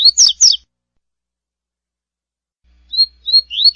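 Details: A double-collared seedeater gives its classic "tui-tui" song: three quick, high, slurred notes, a pause of over two seconds, then a few clear whistles ending in a rising note. No other sounds.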